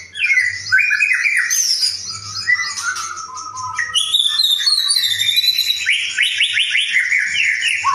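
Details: White-rumped shama singing continuously, a lure recording for morning and afternoon to set other shamas singing; dense varied warbling with whistled slurs, rapid trills and high squeaky notes, no pauses.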